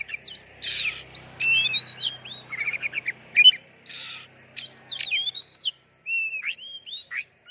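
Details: A singing oriental magpie-robin, used to prompt other birds to sing. Scratchy buzzes alternate with sweet whistled slurs and quick chattering notes, with a soft low hum underneath.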